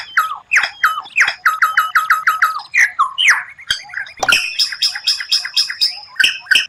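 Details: White-rumped shama (murai batu) singing unusual 'tembakan' phrases: a fast string of clipped, repeated notes shifts into a high, ringing, evenly spaced series.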